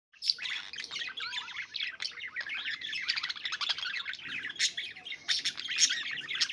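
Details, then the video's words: Budgerigars, with lovebirds, singing and playing warble continuously: a dense, scratchy chatter of quick chirps, clicks and squeaks, with several birds seeming to overlap. "Budgie Sounds 🦜🦜 Love Birds Singing and Playing"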